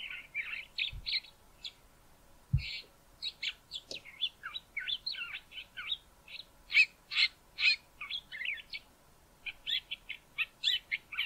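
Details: Soft singing from a male Southern Fiscal near Grahamstown, South Africa: a long, rapid series of varied high chirps, twitters and short whistles, about two notes a second, with a couple of low knocks early on.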